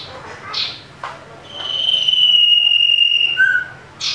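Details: Common iora fighting call used as a lure to provoke other birds: a long, steady high whistle held for about two seconds, then a lower short note and sharp chips, with faint harmonics above and a low hum beneath.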